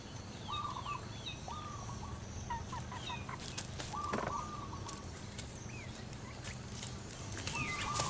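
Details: Female zebra dove of local stock calling her mate: four soft trilled coo phrases spread through the recording. Other birds chirp and whistle at higher pitch, and a low hum runs underneath.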